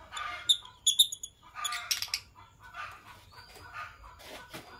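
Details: Morning chatter from a green Fischer's lovebird couple, with dense bursts of shrill, scratchy chirps and sharp high notes crowding the first two seconds, then softer rasping twitters and a thin whistled tone.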